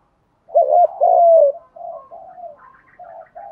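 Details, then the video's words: Spotted dove coo used to excite decoy birds in training: one strong phrase of a short double note and a long descending coo, trailed by softer, broken cooing notes. "tiếng chim cu gáy thúc đấu luyện cu gáy mồi gáy theo"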